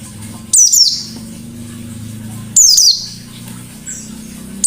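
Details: Pleci white-eye giving 'nembak' shooting bursts of its 'ngalas' song, meant as a lure: short, piercing, very high descending trills about every two seconds separated by quiet, with a droning low hum.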